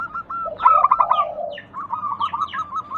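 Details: A zebra dove lure song, meant to coax other doves to call, gives a loud stuttering burst of coos that runs into a low purring coo, then lighter quick coos. High chirps from other birds overlap.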